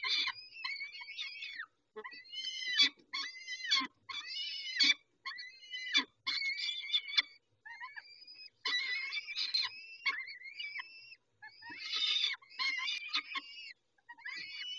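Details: Peregrine falcons at Dobra during feeding, 19 May 2021, 11:48: bursts of harsh, chattering screams alternating with sustained thin wailing notes, repeated for about fifteen seconds.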